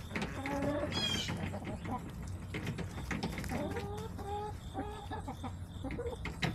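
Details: Backyard hens on September 21, 2024 clucking in short, repeated level notes, with one brief high chirp early on and overlapping murmurs from the flock over a low background hum.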